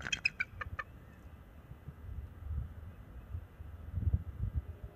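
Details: Young male bald eagle guarding the nest against an intruding owl, March 7, 2024, NCTC nest camera: a brief burst of five or six high, piping chitters at the start, then only low rumbling background noise.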